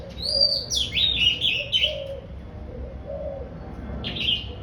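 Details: Oriental magpie-robin just coming into breeding condition, in cheerful song: a quick sequence of high whistled and scratchy notes for about two seconds, then a single late phrase, over steady low cooing in the background.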